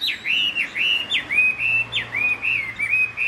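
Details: Caged Chinese hwamei singing with no female present: a steady run of loud, clear whistled notes, each arching up then sliding down, delivered about twice per second without pause, over a faint low hum.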